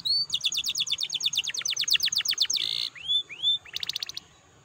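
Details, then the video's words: Canary singing to spur other canaries into song: a rapid trill of repeated high notes, a brief buzzy segment, two rising whistled slurs, then a short quick trill. "PANCINGAN KENARI BIAR GACOR AMPUH MERANGSANG BUNYI"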